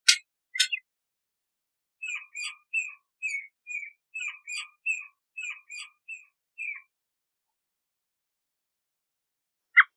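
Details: Canada jay, also called gray jay, giving about a dozen short whistled notes in loose pairs over five seconds, some slurred downward. Two sharp, wide-band notes come just before and one after, in an otherwise silent background.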